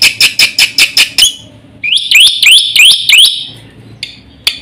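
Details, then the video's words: Black-winged starling singing rapidly to provoke and tutor other birds: six loud, evenly spaced harsh notes, then a set of rising whistled slurs repeated about every half second, ending with two isolated chips. "suara burung jalak putih GACOR FULL ISIAN paling cepat untuk PANCINGAN dan MASTERAN bikin EMOSI"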